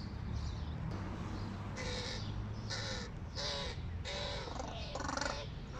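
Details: Young hooded crows just out of the nest give loud, rasping caws. After a quiet opening second, five strong calls come roughly every half second to a second, against a low background hum.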